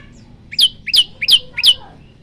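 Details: Male olive-backed tailorbird singing to call a female: four sharp, high, downslurred notes about a third of a second apart, each with a brief lower lead-in, over a faint low hum.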